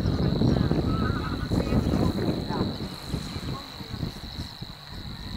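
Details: Savi's warbler, one of two, at De Onlanden, Drenthe, Netherlands, on 22 April 2018, gives its steady, high, insect-like reeling trill without a break, over loud low wind rumble and what may be goose-like honks.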